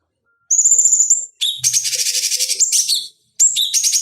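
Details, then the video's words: Cucak cungkok bulbul master song for training fighting birds: a drawn-out high whistle, then a burst of buzzy rhythmic chatter with short whistles, a pause, and another whistle leading into fresh chatter. "Masteran Pancingan Cucak Cungkok Ampuh Untuk Terapi Dan Masteran Burung Petarung"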